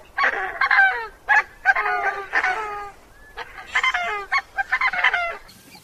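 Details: Slightly gruff honking from a Coscoroba Swan: strings of harsh, nasal honks in lively bursts about a second long, separated by short gaps, with a longer lull midway before the calling resumes.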